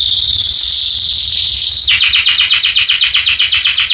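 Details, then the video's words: Canary chirping song for training other canaries to answer: a sustained high buzzy roll, then a quick stuttering series of repeated short notes, about four per second. "masteran burung kenari cuit cuitnya bikin kenari lain langsung nyamber"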